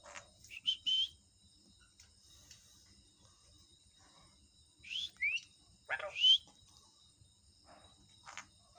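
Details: Parrot giving short bursts of high whistled chirps, several sweeping upward, grouped near the start and again midway, with quiet pauses between bursts.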